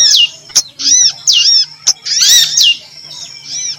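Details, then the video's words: Female prinjak lumut (prinia) call used to lure: chirping, arched notes in irregular groups, fading toward the end, with sharp taps between them. "suara pikat burung betina_!! pangilan burung betina - prinjak lumut"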